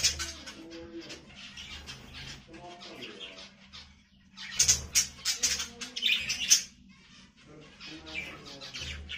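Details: Budgerigar, a parrot, giving bursts of high, scratchy chirps and warbled chatter that swell loudest midway, with fluttering wingbeats and quieter twittering between bursts.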